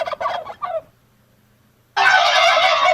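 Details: A domestic village turkey (Meleagris gallopavo) gives a quick, rattling gobble of rapid throaty bubbling notes, then a pause, followed by a loud, harsh, continuous burst of sound.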